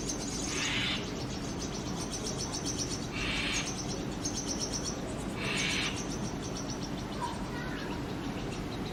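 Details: Chicks of a Brahminy starling pair beg inside a nest box during frequent feeding visits; three loud raspy bursts roughly every two and a half seconds over a faint, fast pulsing background.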